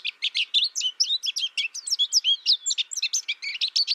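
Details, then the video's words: Continuous fast warbling from a tutor-taught American goldfinch raised without other birds: dense, high chattering notes tumbling one after another with swooping slurs throughout. "My American Goldfinch sings a tutor calling birds, goldfinch excitation to sing,goldfinch chirping"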